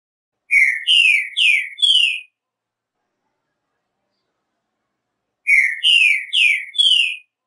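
Green-winged Saltator sings a phrase of four loud, rich, slurred whistles, then repeats it about five seconds later. No other sounds are heard.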